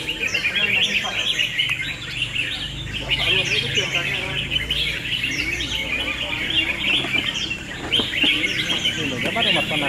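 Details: Red-whiskered bulbuls in round two of a singing contest: many overlapping bright, chirpy warbled phrases and quick whistled notes tumble over one another without pause, while people talk steadily in the background.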